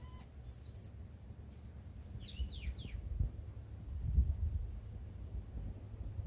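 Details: Early-morning tūī in Manawatu, New Zealand, waking before sunrise: a short burst of high whistled notes and quick descending squeaky strokes, followed by low rumbling background noise.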